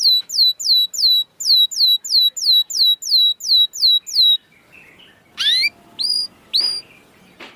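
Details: Canary song used to prompt lazy canaries to sing: a steady series of downward-slurred whistled notes, about three per second, then quieter separate rising calls with faint background noise.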